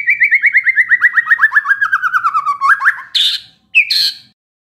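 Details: Agitated White-rumped shama answering a lure track with a fast rhythmic series of repeated notes gradually falling in pitch, ending in two harsh scratchy calls.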